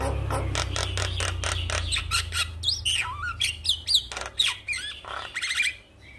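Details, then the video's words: Morning lure song of a Javan myna, meant to encourage a lazy myna to sing: rapid run of dry clicks, then rising and falling whistled slurs and harsh rasps, with a low background hum. "Pancingan Jalak Kebo Pagi Hari Buat Memancing Semangat jalak kebo Malas Bunyi"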